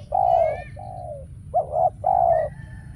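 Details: Spotted dove used as a trapping decoy, cooing to draw wild doves that never show up: low, throaty coo notes in two paired bursts, one long and one short, with faint thin whistles of other small birds above.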